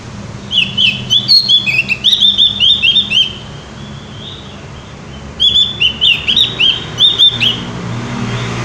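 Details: Javan white-eye in animated, sustained song, long runs of quick, high, warbled whistles rising and falling, a short pause, then another fast burst, over a low background hum.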